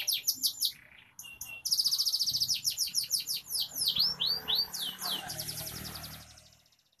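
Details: F2 canary song for crowd therapy: short high chips, then a loud rolling trill of rapid swept notes that fades away at the end.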